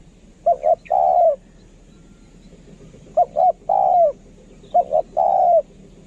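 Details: Decoy spotted dove, valued for its voice, gives three even phrases about two seconds apart, each two short soft coos leading into one long, gently descending coo.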